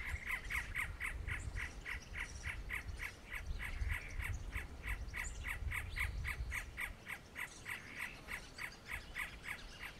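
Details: Great antshrike delivering a long, steady run of short, sharp notes at a rapid, slightly uneven pace, roughly nearly four per second, with low rural background rumble throughout.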